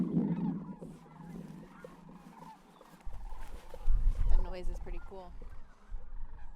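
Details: At sunset in early March, thousands of migrating Rocky Mountain greater sandhill cranes swirl down to roost at wetlands in Colorado's San Luis Valley. They give rolling, trumpeting rattles that overlap in quick bursts over a low wind rumble.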